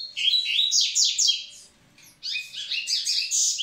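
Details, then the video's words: Double-collared seedeater song for preparing females: a fast run of sharp chirps, a half-second silence, then another lively, varied twittering phrase. "Coleiro Massai cantando pra aprontar as fêmeas!!!"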